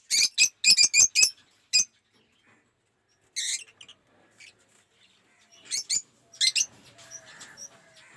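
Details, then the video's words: Lovebirds kept in an aviary holding several colour mutations, uttering a rapid series of shrill, clipped chirps at the start, then scattered single squeaky notes separated by quiet gaps. "Our Amazing Lovebird Collection || Bird Aviary"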